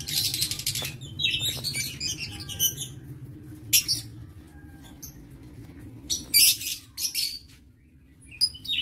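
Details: Lovebirds in an aviary, 22 August 2023, making harsh, high squawks and chattering chirps, dense at first, then in separate loud bursts with short silences between.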